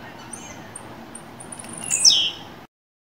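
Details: Caged blue-black grassquit warming up to sing, Fibra song style. Soft high ticking notes lead into one loud buzzy phrase that drops steeply from very high to mid pitch, then silence.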